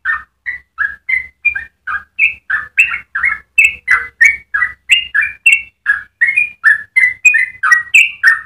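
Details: Fast rolling song of a yellow-vented bulbul, used to train other birds: a long run of bubbly, gurgled notes, over three per second, growing louder midway and varying slightly in pitch.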